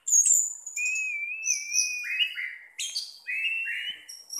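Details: Orange-headed thrush kept as a pet sings continuously: a high sharp opening note, a long warbling whistle, then descending slurred phrases and high bright accents in quick succession.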